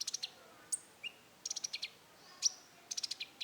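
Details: Rufous-tailed shama (konin) delivering roll tembak song: quick clusters of high, rattling notes separated by short pauses, with a couple of single sliding whistles between bursts.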